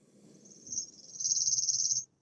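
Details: Chipping sparrow (Spizella passerina) song trill, information carried in the rate of its elements: a dry, high, rapid trill of even pulses lasting about two seconds, over a faint low room hum.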